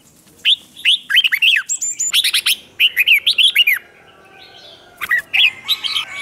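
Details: Red-whiskered bulbul in provocative competition song for voice training: a long series of rapid, emphatic warbled notes, rising and falling in quick succession, then a brief pause before more scattered phrases with faint whistles behind.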